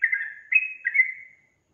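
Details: Yellow-vented bulbul singing vigorously: three short, clear whistled notes, each sliding slightly downward and fading into a trailing tail, with no other sounds around them.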